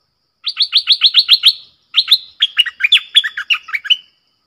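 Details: Red-whiskered bulbul singing a clear, pleasant doubled song: a rapid run of seven even, sharp repeated notes, a short pause, then a longer tumbling phrase of varied warbled notes.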